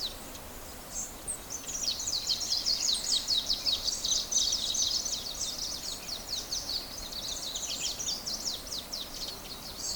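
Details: Birds singing in the morning: many high, thin chirps and short twittering phrases overlap into a steady chorus, some louder bursts near the middle, over a constant hiss of background noise.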